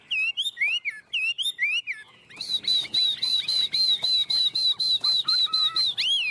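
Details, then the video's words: Hand-held tame Chinese hwamei in energetic 'ôm cóng' song: three looping whistled phrases, then a fast, steady series of high piercing notes with clicking accents, closing on a curling whistle. "Họa mi ôm cóng cực sung trên tay"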